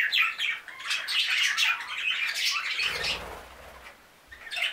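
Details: Group of five new budgerigars chattering, lively scratchy chirps and warbles for about three seconds, then a quieter pause with a soft low thump before chirping resumes.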